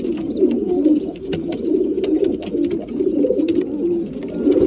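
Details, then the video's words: Breeding pigeons at mealtime: a dense, continuous chorus of low throaty cooing from many birds, overlaid with sharp clicks and brief taps. "Breeding pigeons / mealtime"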